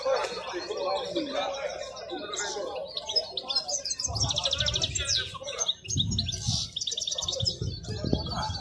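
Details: European goldfinch, wild-caught, singing at the Al-Qurai'a bird market: after a quiet start, bright liquid twitters and fast buzzy trills, with brief pauses between bursts, over nearby voices and general bustle.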